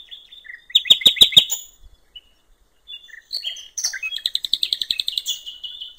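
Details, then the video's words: Common nightingale by a riverside in nature: a fast series of loud clicking notes, a short pause, then a long run of rapidly repeated sharp pulses, roughly three per second or faster. "canto del ruiseñor"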